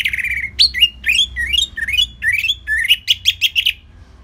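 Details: Orange-headed thrush in rich, relaxed song used to train other birds: a continuous string of varied slurred whistles in a lower register, rising and falling, then ending in a rapid series of short bright notes.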